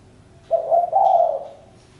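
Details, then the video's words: One cooing phrase from a spotted dove: a short soft note, then a longer, fuller hooting part that fades out, with a faint high tick behind it. "Chim cu gáy-Đam mê tiếng chim cu"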